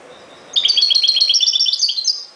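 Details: European goldfinch singing: a rapid, bright run of tinkling twittered notes, repeated quickly for about two seconds, high-pitched and clear over a quiet background.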